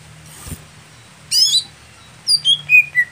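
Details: Greater green leafbird, a sound for priming a contest bird that is slow to heat up. A faint click comes first, then a sharp burst and four clear whistled notes, each sliding downward in pitch.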